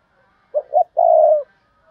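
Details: Spotted dove kept as a decoy to lure wild doves, calling in 'thúc bổi' style. One low phrase: two brief hollow notes, then a longer steady coo that slightly falls at the end.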